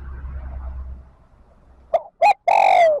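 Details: Spotted dove calling wild birds to rejoin the flock as a decoy: low rumbling noise, then a short hoot, a second hoot and a long coo that slides downward.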